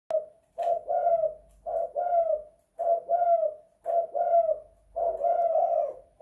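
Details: Spotted dove (tekukur) kept in the house, singing the 'kuk 2 / guk 1' style: low hoarse coos in paired notes, each phrase about a second long, repeated roughly every second with short gaps.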